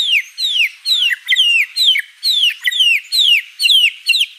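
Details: White-rumped shama singing vigorously with many varied phrases: a loud series of clear, descending whistled notes, each sliding downward, repeated about twice per second with steady rhythm over four seconds, no other sounds heard.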